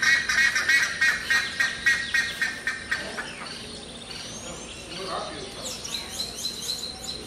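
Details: Brown-throated parakeet pair on a lodge site at Hato El Cedral, Venezuela, in the morning: harsh, raspy notes repeated about four times a second for three seconds, then softer, thinner whistles from other birds in the background.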